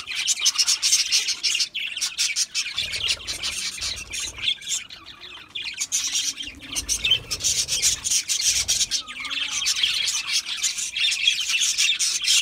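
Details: Several budgerigars feeding on seed mix squawk and chirp harshly in rapid runs, the scratchy calls rising and falling in waves over steady crunching of seeds.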